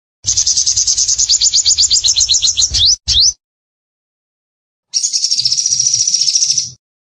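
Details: Vigorously singing sunbird, called sogon: a fast high trill of slurred notes ending in two quick upslurred chirps, a silent pause, then another shimmering high trill over soft low murmur.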